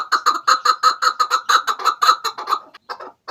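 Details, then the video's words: Chukar partridge call played as a hunting lure: a rapid run of about fifteen hoarse, clucking chuk notes over under three seconds, steady in pitch, then a brief pause and a few softer notes. "Chakor ki awaz |sound of kekliksesi partridge"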